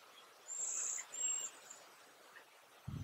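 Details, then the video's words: Several Cedar Waxwings at Léon Provancher marsh giving their soft song, a slight whistle: two thin, very high drawn-out whistles in close succession, with faint calls of other birds in the background. "Jaseur d'Amérique, chant / Cedar Waxwing, song"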